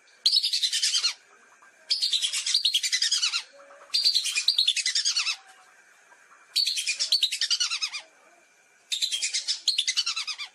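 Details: Hunting-lure recording of lesser whistling ducks: five bursts of fast, high, twittering whistles, each about a second long, coming roughly every two seconds, with a faint steady hum between them.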